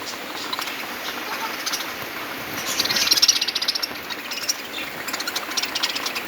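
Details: A colony of budgerigars chatters happily in a constant stream of high, scratchy chirps and warbles.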